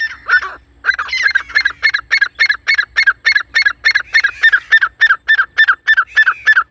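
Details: Grey francolin calling loudly for hunting use: after a couple of opening notes comes a fast, rhythmic run of harsh, rasping syllables, about three to four per second, very regular and unbroken to the end.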